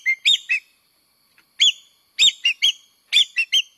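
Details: Lure call of the common green magpie: a clear whistle followed by clusters of three sharp, buzzy, ringing notes repeated at intervals of about half a second to a second.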